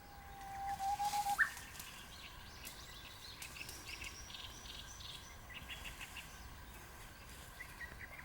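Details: Japanese bush warbler singing in the mountains early in the morning, heard during a wild-vegetable gathering trip: one long, steady whistled note then a quick upward flourish, followed by faint hissing background.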